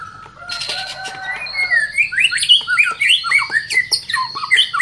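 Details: White-rumped shama provoked by a lure recording, unloading its full repertoire: a rapid run of varied rising and falling whistled notes, slurred and chirpy, several per second, building after a brief buzzy opening.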